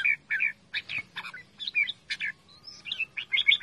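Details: Pet red-whiskered bulbul calling loudly and playfully, giving short bright chirping notes and warbled whistles in quick irregular bursts, with a faint low hum behind.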